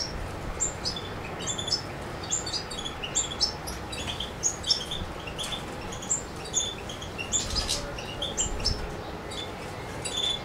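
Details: European goldfinch recorded in Macedonia on 7 July 2011 gives a busy run of high, tinkling chirps and twitters over constant noise.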